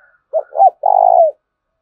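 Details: Spotted dove giving a lure coo meant to stir other doves into cooing: two short, hollow, bending notes followed by a longer, slightly throbbing low coo that falls away at the end. A faint higher tone precedes it.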